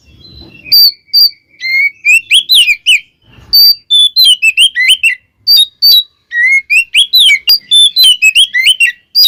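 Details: Kacer or Oriental magpie-robin song to provoke other magpie-robins; a long, nearly unbroken stream of loud varied whistles and chirps, rising and falling quickly, with a short rustle at the start.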